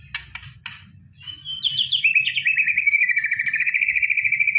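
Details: White-rumped shama singing in preparation for a song contest: a few sharp high chips, then a fast rattling trill of repeated notes sliding gradually downward, with a low rumble underneath.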